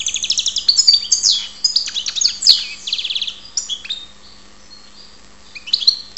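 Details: European goldfinch from Ptolemaida, Greece, singing a rapid high twittering song of tinkling notes, buzzy trills and quick slurred whistles, with a short pause near the end before the twitter resumes.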